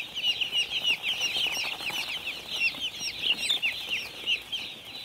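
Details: Crowd of young chicks peeping busily on a farm, bursts of shrill chirps swelling and fading in rapid waves.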